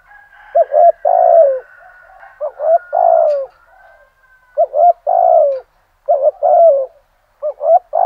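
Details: Spotted dove decoy at first light, singing the full thổ-style song to lure rival doves: repeated phrases of two short low coos and a long drawn-out falling coo, with a faint higher whistle running behind the early phrases.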